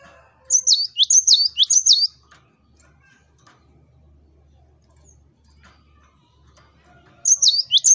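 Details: Cinereous tit singing energetically, played to lure rivals into answering: a burst of bright, high two-note whistled phrases, a long pause of near silence, then the same ringing phrases starting again.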